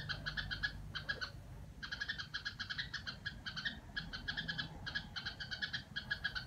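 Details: Red-whiskered bulbul at home in its "rò" style: a sustained series of rapid, harsh chattering notes in tight groups, with brief pauses between runs and low background noise.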